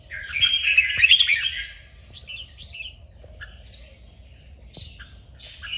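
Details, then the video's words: Red-whiskered bulbul song from a training session to spur contest singing: one loud, dense tumbling phrase of whistles and chatters, followed by several brief, sharp, downslurred calls spaced about a second apart. "Luyện chào mào hót| Chào mào kích bổi-KÍCH BỔI CĂNG ĐÉT DỄ CHÉ.sổ giọng, Cách luyện chào mào hót"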